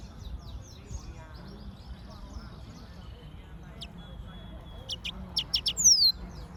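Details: Yellow-fronted canary: faint twittering, then a few crisp high clicks and a bright downward-sliding whistle near the end, against low background hum.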